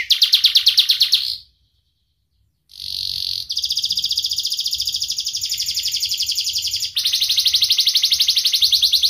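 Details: Young canary with a sharp voice, played to lure young or lazy canaries into singing: a fast buzzy trill, a brief pause, then long rolling rattling trills of tightly repeated notes.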